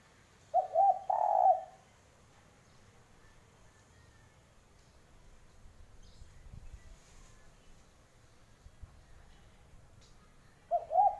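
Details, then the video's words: Spotted dove utters one low, stuttered coo phrase, then a long stretch of faint ambient noise. Another coo begins at the end and is cut short. "Ciri Khas Suara Burung Derkuku"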